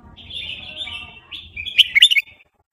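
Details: Burmese red-whiskered bulbul delivering a fast wild song: a steady wavering whistle followed by a quick run of loud, bubbling, chopped notes, over a faint low background hum.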